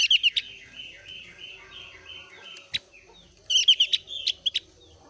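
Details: Javan grey-throated white-eye, thin-browed type, singing in breeding condition to provoke other white-eyes: a few rapid high notes, a run of soft repeated notes, then a loud burst of fast chattering notes near the end.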